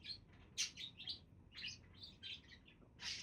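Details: Budgies warbling in quick succession: bright, rasping chirps and squeaky trills follow one another almost without pause, ending with a louder harsh burst.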